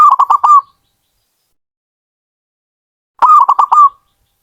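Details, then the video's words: Hobbyist-kept zebra dove (perkutut) delivering two matching phrases three seconds apart, each a burst of five rapid, bouncy coos with a slightly longer final note, in otherwise quiet surroundings. "Suara burung perkutut"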